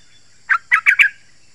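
A yellow-vented bulbul gives four quick, bubbly, chattering notes in about half a second, mid-pitched and slightly rising, over a faint steady background hiss.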